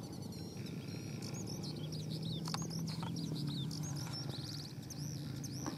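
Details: Decoy and fighting skylark from Phú Yên, Vietnam, delivering fast, varied high notes: sharp chirps, upward-curving whistles and brief buzzy bursts in quick succession, with constant low-pitched hum and rumble underneath.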